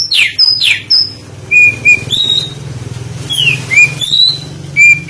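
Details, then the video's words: Oriental magpie-robin lure song: a few high falling whistles, then sparse flat and rising whistled notes spaced out over a noticeable low background hum. "Pancingan Suara Burung Kacer"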